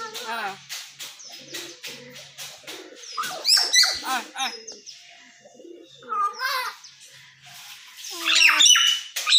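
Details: Caged common hill myna talking: harsh squawks, whistled rising notes and clicks mixed with speech-like syllables, in irregular bursts with short pauses between phrases.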